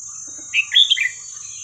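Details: Red-whiskered bulbul, hua krok khayao khuat song style, played as a lesson for young birds: one brisk phrase of bright, gurgling whistled notes climbing then falling, lasting under a second, over steady high hiss.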